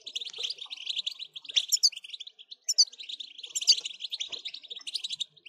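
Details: Steady, dense European goldfinch song of rapid chirping and jingling twitters, with a few sharper high accents scattered through.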